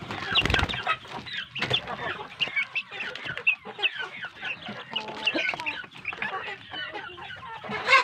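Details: Large village chicken chicks (ayam kampung) on a farm, fed good feed: a dense chorus of many high, quick peeping cheeps overlapping continuously, with a few louder thumps.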